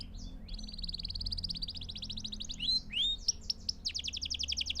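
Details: Canary song for teaching young birds to sing: long rapid rolling trills of repeated notes, broken in the middle by a few loud slurred whistles, then another fast trill.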